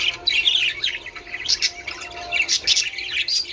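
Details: Budgerigar warble for encouraging breeding, with lively twittering, whistled squeaks and sharp high chips overlapping in a continuous, bubbling stream.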